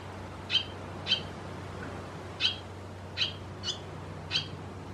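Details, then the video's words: Barn swallow in Croatia giving short, sharp, high chirps, six of them spaced unevenly about half a second to a second apart, each call clear above a faint low hum. "Lastavice , Hirundo rustica , Swallow"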